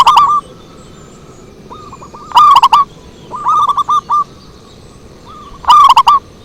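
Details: Zebra dove singing for luring. Stuttering, throaty coo phrases of several quick notes come at uneven intervals, some strong and close, others quieter and farther off.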